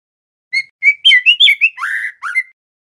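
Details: Loud, clear song attempt from a young male white-rumped shama with speckled juvenile plumage: short whistled notes climbing into a tumbling run, a long rich descending warble, then one upslurred whistle to close.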